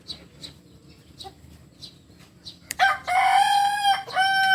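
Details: Soft chirps from other birds open the recording before a Kukuak Balenggek rooster, a native Solok chicken, bursts into a loud crow with a long sustained note and a rising second syllable.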